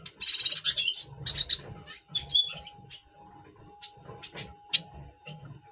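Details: A double pastel red siskin in breeding condition before breeding, recorded November 2023, sings a fast, high twittering song of buzzy trills and clear whistled notes, fading into scattered chirps, with a faint steady hum behind.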